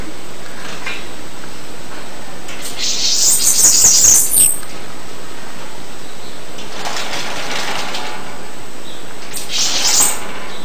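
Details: Bananaquit: one clear, high, sibilant twittering phrase of about one and a half seconds, followed by two fainter high bursts several seconds later, with steady background hiss.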